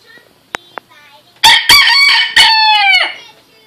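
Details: A rooster gives one loud, harsh crow of several rough syllables, ending in a drawn-out falling note, after a couple of faint clicks.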